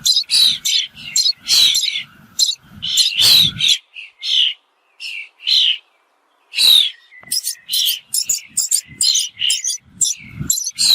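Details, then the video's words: Rapid, high chirping from a bird runs in dense bursts, broken by a couple of quiet pauses, with faint low thumps beneath the opening calls. "The sound of a bird"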